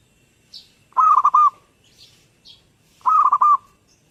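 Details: Zebra dove in active song: two quick bursts of mellow, bubbling, rolled cooing notes, each about half a second long and roughly two seconds apart, with faint high chirps from other small birds between them.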